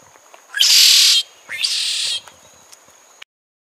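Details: Cuban red-shouldered blackbird song: a rising lead-in note, a loud coarse buzz, then a second rasping buzz, followed by light ticks before the sound cuts off.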